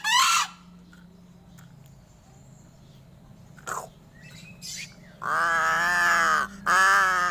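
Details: Crow giving an odd call described as strange: two loud, harsh, nasal caws late in the clip, each about a second long, after a quiet stretch with faint short clicks and chirps.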